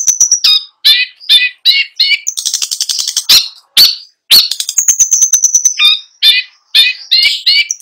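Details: Long-tailed shrike in continuous rolling song packed with imitated sounds: repeated harsh nasal phrases, a dense rattling burst, sharp clicks and fast high trills, all delivered without pause.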